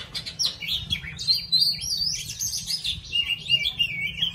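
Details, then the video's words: Oriental magpie-robin singing while dancing; a continuous, high, varied warble of whistled and slurred notes running without pause, with low background rumble. "Choè than hót múa"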